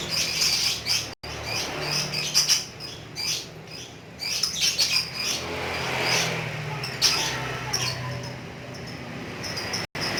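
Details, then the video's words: Lovebird kept at home, in 'ngekek' chattering song: repeated clusters of shrill, scratchy, rapid notes throughout, some louder and harsher, with a low humming background. "BURUNG LOVEBIRD TERAPI PANJANG UMUR ‼️GACHOR NGEKEK BIKIN ADEM"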